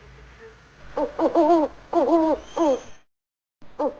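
An owl gives a quick run of hollow, wavering hoots, about five in two seconds, then a short pause before another begins.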